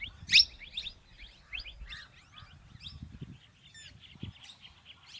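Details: Plum-headed parakeets, a male and a female, giving a dense run of short, high, squeaky chirps and clipped notes, one loud shrill note near the start, over faint low rumbling background noise.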